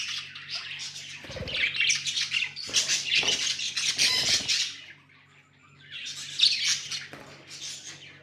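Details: Pet budgies chattering indoors: harsh squawky chirps in dense bursts, a quiet gap near the end before chirping resumes, with some thumping noises and a constant low hum.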